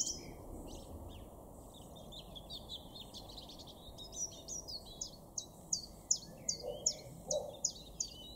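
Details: Common chiffchaff singing in a garden in Weener, East Frisia, far northwest Germany, in April; after a quieter start with faint chatter from other birds, a steady run of sharp, high, downward-slurred notes repeats about three times per second.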